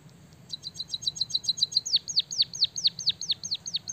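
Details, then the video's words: Captive white-headed munia singing a canary-style song it has learned: a rapid train of thin high ticks, then sharp descending whistled swoops repeated quickly and evenly to the end. "burung emprit kaji gacor isian suara kenari"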